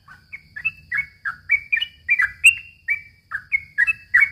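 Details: Yellow-vented bulbul in chatty, long rolling song, used as a lure for young birds: a lively string of about fourteen short, bubbly, slurred whistles, each rising or falling, delivered quickly with brief gaps, over a faint low hum.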